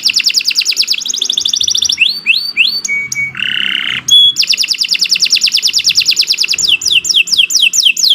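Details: Canary in loud, extended song: fast high trills, rising slurred whistles, a coarse nasal buzz and a clear pip, then a long rolling trill with sweeping notes.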